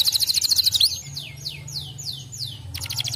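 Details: Canary song played to encourage other canaries to sing: a fast pulsed trill, then a series of about six descending slurred whistles, ending with another quick trill.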